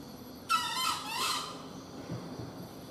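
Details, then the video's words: A wild junglefowl, being hunted, gives a single hoarse, strained crow lasting about a second, rough and broken in the middle, over steady low background hiss; the call was noted as very long. "Kluruk sangat lama"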